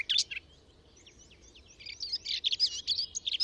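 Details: Singing Garden warbler within a hedgerow: a short loud chattering burst, then soft scattered notes, building into a rapid, rich warbling phrase delivered delicately; recorded with a Telinga parabola and MixPre 6 II.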